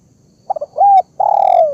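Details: Spotted dove lure call used to draw birds in: a few short stuttered notes, then a smooth level coo, then a long drawn coo that slides downward at the end. The background is quiet.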